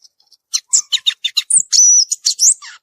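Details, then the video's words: Brief burst of song from a violaceous euphonia in nature: a few faint ticks, then rapid high chirps leading into a sustained thin whistle and closing buzzy notes. "Gaturamo verdadeiro cantando na natureza"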